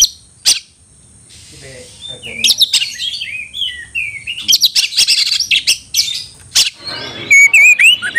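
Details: Oriental magpie-robin singing to provoke a fighting rival: a few isolated sharp notes, then a long busy stretch of quick chirps, trills and whistled slurs, ending in high, clear, warbling whistles.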